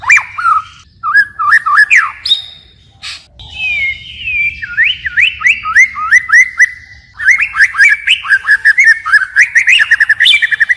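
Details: A white-rumped shama sings in forest style, changing phrases over and over: short rising whistles, a sustained high whistle, a descending series of slurred whistles, then a dense rapid burst of clipped notes and clicks.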